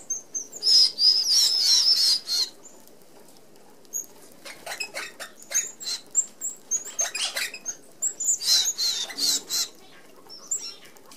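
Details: Feeding flock of Australian Red-browed finches at a small-mesh feeder; a loud burst of high chatter at the start, then scattered thin peeps and clicking patter, another chattering burst near the end.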